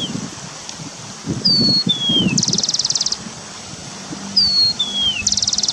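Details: Wild forest starling repeating a phrase twice: steady high whistle, descending slurred whistle, then a harsh rapid rattle of many pulses, over rustling and a low hum.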